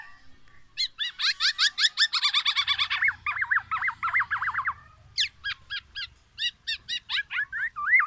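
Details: Black-naped oriole pouring out oriental magpie-robin mimicry to challenge rival orioles; a dense run of rapid looping whistles and chips in fast succession, later crisp single notes and wavy phrases, with a soft low hum.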